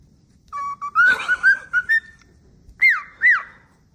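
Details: A pet cockatiel doing its daily whistling practice on the weekend whistles a run of clear, steady notes, then two sharp upswept calls.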